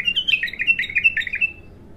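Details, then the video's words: Raw first song of a bulbul: a rapid series of about ten bright, slightly descending chirped notes strung into one warbling phrase, ending after a second and a half in quiet. "تغريد الابتر خام اول فتحـه له"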